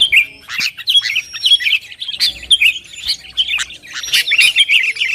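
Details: Sooty-headed bulbul in lively song used as rival bait: bright, bubbly warbled notes and short whistles in quick succession, interspersed with sharp clicks, continuous for five seconds.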